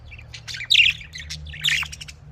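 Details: Close budgerigar chatter with two loud scratchy squawks among quicker chirps and warbles, in a quiet setting.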